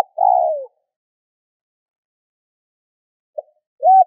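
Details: Spotted dove call used to get other doves calling: one long, soft, hollow coo falling in pitch at its end, then a long silence before a tiny note and a short arched coo. No other sounds.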